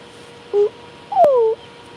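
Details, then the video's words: An owl heard from a farm gives two hoots: a short, steady note, then a longer one sliding downward, over faint room noise. "that owl? That's so weird that we're talking about owls, but I hear that owl hoot."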